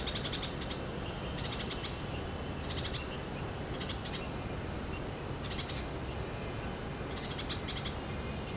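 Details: A red-vented bulbul chick sitting at its nest in India gives thin, raspy high notes in short bursts about every second and a half, over a steady low rumble of wind or handling noise.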